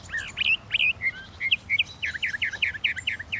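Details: Northern mockingbird singing a rapid run of short whistled notes, first varied slurs, then a quick series of near-identical downward chips, bright and high-pitched against a quiet backdrop.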